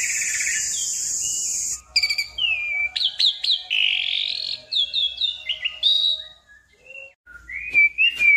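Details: Asian pied starling (Sturnus contra) in full voice, giving long rolling song used as a lure to make other birds sing. A steady high insect-like hiss opens, then varied whistled notes, sharp upsweeps and slurred chattering phrases with brief pauses.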